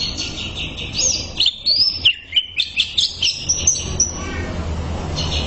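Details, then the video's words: Greater green leafbird from a bird-training tutor recording: loud high whistled phrases, quick upward and downward slurs and a series of sharp evenly spaced chips, finishing with a thin high trill. "MASTERAN CUCAK IJO SANGAT MAHIR UNTUK TERAPI"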